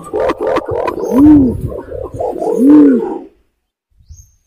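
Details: Imperial pigeon lure call: rapid rough notes lead into two deep, drawn-out, arched coos about one and a half seconds apart, then silence.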